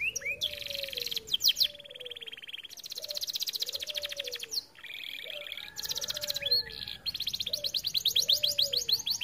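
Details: Singing canary in steady full song, suited for tutoring other canaries. Long bright trills and buzzy rolls alternate with short breaks, over a softer, lower repeated whistle note in the background.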